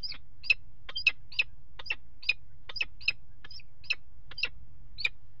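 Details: Peregrine falcon at a nest box on the water tower in Axel, Netherlands, on 5 February 2018, mating on the nest ledge; harsh, sharp chips repeat about twice a second over a steady low rumble.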